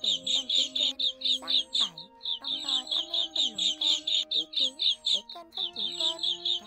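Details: Asian green bee-eater lure recording made for trapping birds: rapid, high, trilled chirps, about two a second in a steady run, over soft gliding tones that sound like background music.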